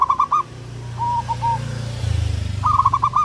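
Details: Local wild-type zebra dove (perkutut) singing actively, a recording meant for luring birds: short bursts of rapid stuttered coos at the start and end, soft drawn-out notes between, over a steady low hum.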